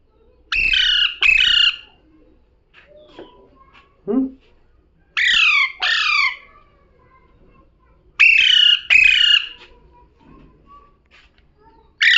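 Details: Parrot reported as talking: three paired bursts of harsh, descending squawks several seconds apart, with a soft low thump and quiet background sounds between them.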